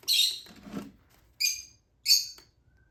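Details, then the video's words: Hand-fed baby lutino Fischer's lovebird giving three short, harsh, high begging squawks separated by pauses, with a brief low rustle or handling sound after the first note. "Hand Feeding Baby Lutino Fischer Lovebird."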